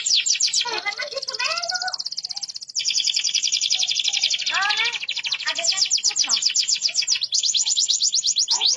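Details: Rolling song of a deep yellow canary: a continuous rapid high trill like a buzzing roll, briefly broken, with softer warbled lower notes beneath.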